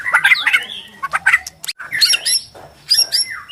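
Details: White-rumped shama of Borneo singing aggressively, used to stress rival shamas into fighting: harsh grating notes, fast twitters and chattering bursts, ending with a rising whistle.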